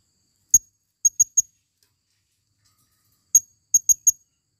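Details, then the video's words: Female blue-crowned hanging parrot used as a forest lure: two clean groups of four sharp, very high squeaky chips each, separated by about two seconds of silence. "Serindit Suara paling banyak...!!"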